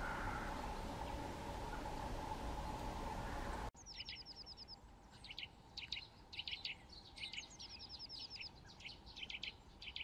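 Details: Eurasian nuthatch repeating high, downslurred piping notes in rapid runs and spaced pairs for several seconds, after a stretch of loud broadband noise at the start.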